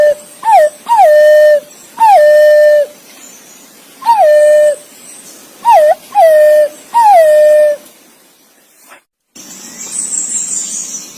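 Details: A green pigeon calls its mate with a run of seven whistled notes. Each note bends downward, then levels off. A thump follows, then a soft hiss to the end.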